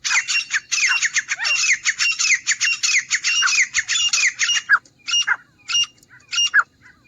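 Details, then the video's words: Grey francolin (teetar) giving loud, harsh, screechy notes in a fast, rattling run, then a few spaced, ringing calls near the end; presented as a hunting call. "तीतर की आवाज़ - Teetar Ki Awaaz || Grey Francolin Hunting Sound"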